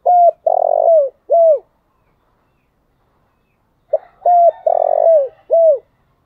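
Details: Urging morning call of a decoy spotted dove, repeated twice about four seconds apart: a level coo, a buzzy rolling coo sliding downward, and a curved falling coo, with silence between the phrases.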